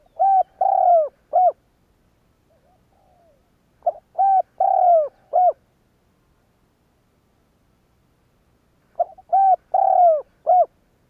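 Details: Spotted dove (cu gáy) decoy, calling to provoke other doves to coo: three matching phrases roughly every four to five seconds, each a short note then three to four rounded coos with one long falling coo.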